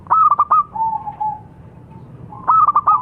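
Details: Song of a local perkutut, the zebra dove: a quick stuttering run of clear notes sliding into a long level soft coo, then another rapid note burst begins.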